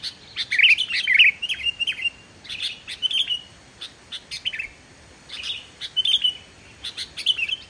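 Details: Singing sooty-headed bulbul, played as a lure to prompt quiet bulbuls to sing; lively bursts of chirps and short warbled phrases, clustered and irregular, over steady faint background hiss.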